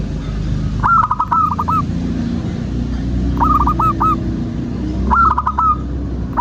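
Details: Zebra dove singing, used to lure and prompt other birds: three phrases of fast repeated cooing notes spaced two seconds apart, against a strong low hum.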